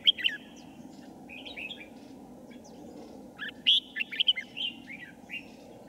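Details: Red-whiskered bulbul used in trapping wild bulbuls, 5 January 2018: a sharp opening note, softer scattered chirps, then a loud run of clear, slurred whistles.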